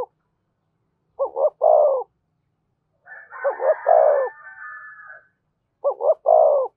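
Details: Spotted dove giving cu gáy coos in 'giọng thổ', 'thúc' and 'kèm' voice styles: three phrases of two brief notes and a drawn-out throaty coo, while a rooster crows loudly across the middle phrase.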